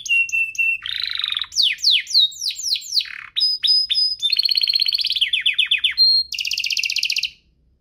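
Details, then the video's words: Energetic canary song, part of a duo compilation played to prompt canaries to sing and to tutor young birds: steady whistles, buzzy rolls and quick descending slurs shifting between phrases, closing on a loud rattling trill before falling silent. "Kompilasi DUO GACOR, cocok untuk pancingan kenari biar gacor, masteran kenari paud"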